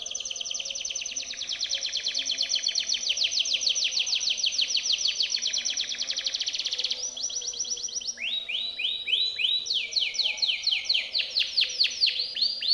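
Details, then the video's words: Timbrado canary song meant for training other canaries: long rapid trills of fast repeated notes held at a steady pitch, then a run of falling, swooping notes repeated about twice a second, with a faint low hum beneath. "TIMBRADO canary singing - Timbrado canary's most powerful song for training / canary training song"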